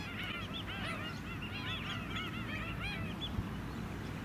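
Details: A flock of white-headed stilts (Himantopus leucocephalus) on mudflats at Scarborough, Queensland, July 2017, keeps up a dense chorus of overlapping yapping, goose-like calls over a steady low rumble of wind.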